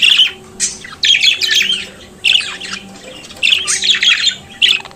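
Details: Budgerigar singing and chattering in four or five loud bursts of rasping, warbling squawks, each lasting under a second and separated by short silences.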